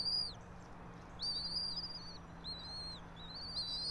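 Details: High whistled calls from a bald eagle nest in a pine tree, Johnson City, Tennessee, on a nest camera at 06:28, 3 April 2024: drawn-out thin notes, some gently falling, several overlapping in a loose series over soft background noise.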